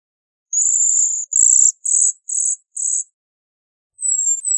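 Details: Bohemian waxwing giving five very high, thin, buzzy trills of about half a second each in quick succession. After a pause come two fainter, slightly falling high notes. No other sounds are heard.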